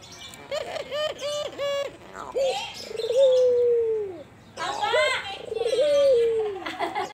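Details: Albino Barbary dove cooing with a soft, full voice and a long drawn-out ending coo. Short tonal notes come first, then a sustained, slowly falling coo, and the phrase is repeated.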